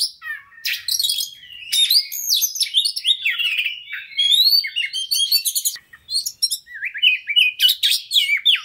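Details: Fast, insistent magpie-robin song meant to trigger a fighter bird: varied whistled slurs rising and falling, clipped chips and scratchy bursts in quick succession, a brief gap near six seconds, then more rapid jumping notes.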